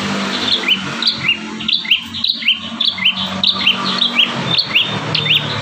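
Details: Bar-winged prinia in energetic song, one of five song variations used as a master recording to train caged birds: sharp upward-flicking chirps in steady succession, about two per second, over a low continuous hum.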